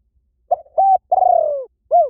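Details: One spotted dove phrase from a decoy lure: quick low coo, steady hoot, long pulsing coo sliding downward, and a rounded last note, with no other sounds.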